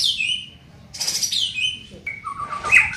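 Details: Brief phrases from a young white-rumped shama under training: high descending whistles, a burst of harsh noisy notes, then short clear whistled notes near the end.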